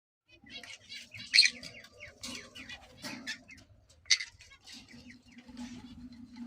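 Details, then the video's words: A breeding pair of pineapple green-cheeked conures gives harsh, scratchy chirps and two loud screeches, with a man speaking softly underneath. "pineapple conure parrot"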